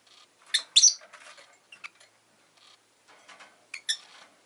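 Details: Rosy-faced lovebird producing clusters of shrill, piercing chirps, two loud bursts separated by a short pause, with softer chatter in between.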